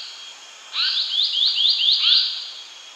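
An Asian paradise flycatcher gives a quick run of five or six high, rising, slurred notes over about a second and a half. A faint steady insect-like hum sits behind it.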